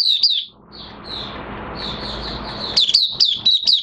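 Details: Oriental white-eye in a cage, in minor moult, gives a few high chirps, then soft thin drawn-out whistles, and finally a fresh run of quick, sharp downslurred notes.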